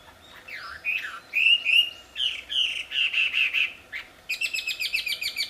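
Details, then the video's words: Wambi in the wild singing loudly and sweetly: a swooping whistle, then a series of clear warbled notes, ending in a fast burst of sharp, high, evenly spaced chips. "Suara merdu burung wambi di alam liar ternyata sangat merdu dan keras"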